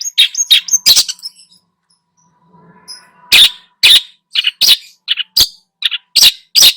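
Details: Energetic long-tailed shrike lure song with mimicked fillers: harsh squealing bursts, a brief lull with faint background noise, then loud rasping notes and thin whistles in an uneven sequence.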